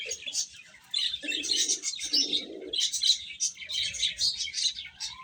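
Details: Cute chicks chirping while eating, bright repeated high peeps in clustered bursts over short low buzzy rumbles.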